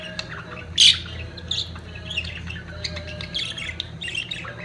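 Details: Budgerigars at the peak of their mating activity, giving scattered squawks and chirps over a steady low hum, with one louder harsh squawk near the start.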